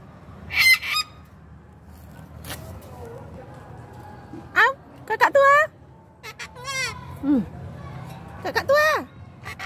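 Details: Yellow-crested cockatoo calling: loud, harsh, strongly harmonic screeches with swooping rise-and-fall shapes, given in short bursts at irregular intervals over about ten seconds, with a low background hum and people's voices nearby.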